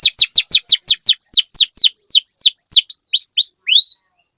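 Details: Song of a canary as a tutor for other canaries: fast series of high descending chirps that slow into rising curved whistles before stopping abruptly.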